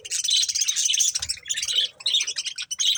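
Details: Pet budgies enjoying corn, chattering in dense, high, scratchy warbles and rapid chirps with only short breaks.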